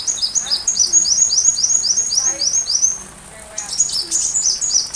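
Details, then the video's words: Sunbird song recorded for teaching a white-rumped shama. A series of high, quickly repeated upslurred notes is followed by a short pause, then more rapid twittering, with soft hiss in the background. "Masteran Rajanya Isian Kolibri"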